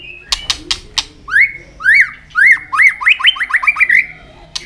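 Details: White-rumped shama with sharp clicks, then rising-falling whistled notes that quicken into a fast repeated trill.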